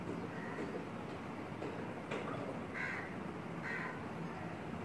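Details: Close-up female Asian koel in a curry leaf tree by a window; two short, hoarse calls about a second apart stand out above steady background rumble.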